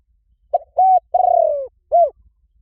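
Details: A spotted dove calls to lure doves and spur a weak decoy into calling. The phrase runs as a short note, a level coo, a drawn-out pulsing coo falling in pitch, and a closing rounded coo, with a clean, quiet background.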